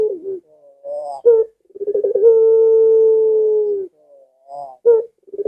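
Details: Collared dove in puter pelung style: short soft coos and a sharp accent note, then one extended level coo begun with stuttered pulses and lasting about two seconds.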